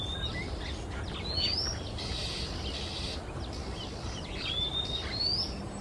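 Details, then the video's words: Male Oriental magpie-robin singing on a quiet Singapore afternoon; sharp rising whistles open and close the phrase, with a harsh noisy burst and softer twitters between, above a steady low background hum. "Sweet singing Male MAGPIE-ROBIN, Singapore"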